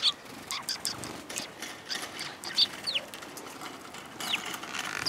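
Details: Several sparrows heard on 22 April 2022 on an outbound walk, giving scattered short high chirps and brief downslurred notes amid clicking, rustling background noise.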